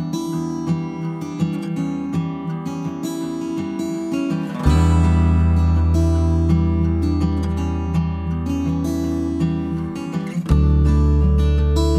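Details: Only strummed acoustic guitar music is heard, with a deep bass note entering midway and no animal voice.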